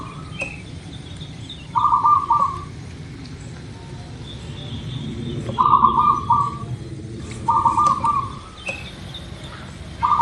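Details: Zebra dove of local stock singing as a lure for other birds: four brief vibrating coo bursts a few seconds apart, with faint high bird notes and low background noise between them.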